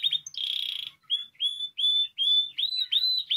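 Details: Spanish timbrado canary song for tutoring: a dense buzzy rolling trill, then a string of separate clear whistled notes, each flat or gently rising, in a broken rhythm.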